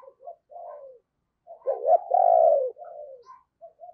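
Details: Spotted dove used as a decoy to call wild birds: gentle low coos, a pause, then a rising two-part note and a loud drawn-out coo, with soft coos trailing afterwards.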